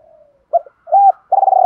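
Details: Fragment of a spotted dove's training and lure coo: a faint trailing note, a short hoot, a held mellow note, then the start of a loud rolling coo cut off abruptly.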